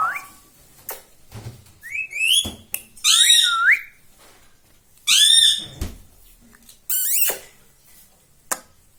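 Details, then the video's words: Indoor pet ringneck parrot that says "mummy" and "radhe radhe": a series of loud, harsh, wavering speech-like phrases broken by short gaps, mixed with rising whistles and sharp clicks. "parrot talking"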